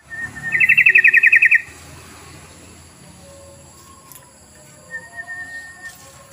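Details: Yellow-vented bulbul sound used as a lure to make other bulbuls call: one loud burst of fast, regular pulsed chattering, then quieter scattered short whistles and soft notes.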